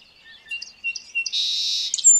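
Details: Song sparrow song fragment: soft thin notes and a few clipped chips build into a long, loud, harsh buzz, ending on a brief high whistle.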